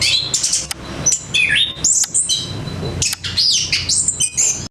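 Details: Melodious orange-headed thrush song with brief gaps, mixing high whistled slurs, quick chirps and buzzy sharp notes in bursts of rich, shifting phrases.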